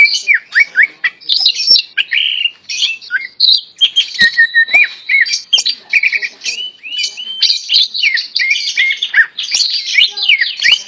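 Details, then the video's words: Tame greater green leafbird in full song while held in the hand, a long, unbroken stream of varied whistled phrases, quick slurs, rising and falling notes and chattering trills, with barely a pause. "Burung Cucak Ijo Jinak Gacor Meskipun Di Pegang Tangan"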